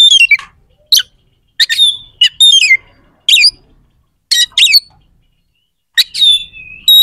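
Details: Oriental magpie-robin uttering harsh, sharp song phrases meant to provoke rival magpie-robins to fight; separated high, rasping chips and downslurred notes, ending with a level whistled note, in an otherwise quiet background.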